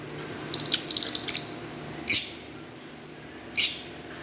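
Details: Green Fischer's lovebirds: a fast twittering run of tiny high ticks, then two louder, harsher squeaky chirps about a second and a half apart.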